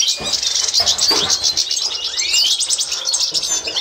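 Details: Constantine goldfinch (European goldfinch) training song, 2024: busy high twittering and trills with a rising whistle near the middle, backed by faint low thumps.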